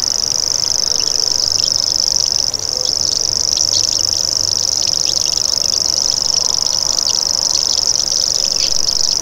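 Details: Common grasshopper warbler (Locustella naevia) giving its insect-like buzzing reel: a continuous high, rapid ticking trill held steadily throughout without a break.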